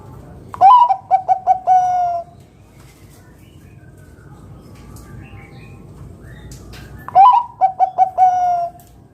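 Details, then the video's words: Bangkok zebra dove with a loud "kung" voice, played to draw other doves into singing. Two matching phrases about six seconds apart, each a rising coo, four quick staccato coos and a long closing note, with quiet pauses between. "Perkutut Bangkok gacor Suara KUNG BESAR Masteran Burung Perkutut agar Bunyi GACOR"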